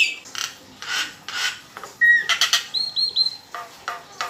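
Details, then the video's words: Kept Nias hill myna singing to stir other birds: scratchy rasping bursts, then a clear whistled note and a thin, wavering high whistle, followed by more harsh scraping notes. "PANCINGAN JALAK NIAS"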